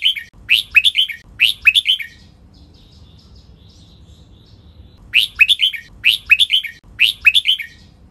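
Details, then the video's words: A red-whiskered bulbul gives the doubled training song: three fast, bubbly phrases of slurred whistles, silence for about three seconds, then another three phrases at the same pace. "นกกรงหัวจุก | เสียงร้องเบิ้ล 23 นับดอก"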